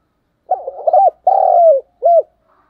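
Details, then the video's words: Low, hoarse cooing from a decoy spotted dove in thúc gù style: a stuttering lead-in, one sustained coo that sinks at the end, then a single short arched coo; the recording is otherwise quiet. "cu gáy thúc gù, sung và rất căng// tiếng cu gáy mồi chuẩn"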